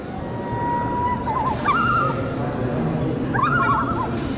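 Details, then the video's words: Common loon call played back by a button-operated museum exhibit indoors: a long, steady whistled note, then two bursts of wavering, yodel-like notes, over a low indoor rumble. "Just found out you could press different buttons here to get them to play bird calls, and you can hear that loon."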